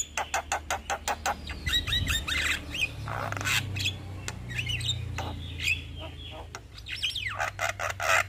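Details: Male Javan myna in full voice, giving a long rolling song: a rapid train of dry clicks, then squeaky chirps and rising whistled notes, over a steady low hum.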